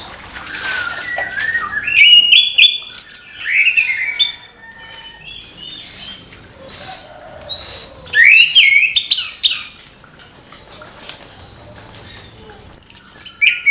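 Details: Lively morning song from an orange-headed thrush, a long sequence of varied whistles, slurred up-and-down phrases and thin high trills, broken by a short quiet gap before resuming.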